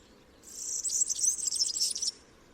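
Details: High, fast, liquid twitter of a European Serin lasting about one and a half seconds, notes tumbling quickly together in a sizzling jingle.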